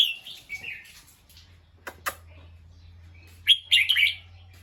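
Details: Alert bulbul reacting to a sound it heard, uttering harsh chirps at the start and a rapid scratchy cluster of notes later, separated by two brief clicks, with a faint low hum throughout.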